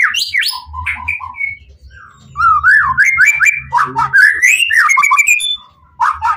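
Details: Emotional Pastol-type White-rumped shama song to provoke other shamas: harsh notes, then a long rapid warbling run of zigzagging whistles rising in pitch, faint low hum.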